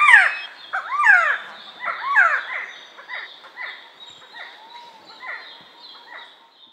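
Resplendent Quetzal giving mellow, slurred whistles, each note swooping up then down, repeated about once a second and fading away; no other sounds stand out.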